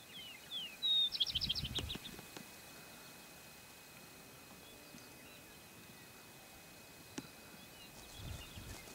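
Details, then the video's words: A single male greater sage-grouse strutting in display, Malheur County, Oregon, on April 18, 2010. A brief burst of hollow low thumps comes with rapid high whistled notes, then steady outdoor hiss with a faint later pop and low rumble. "Greater Sage Grouse displaying"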